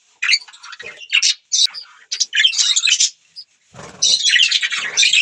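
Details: Budgerigar chattering in several bursts of quick, raspy, warbled notes with brief pauses between them, and a low scuffing noise under one burst.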